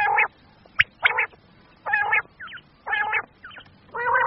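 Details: Common quail, male and female calls from Pakistan meant for quail hunting: coarse, rasping buzzy bursts about once a second, with a few short sharp notes and soft squeaks between them.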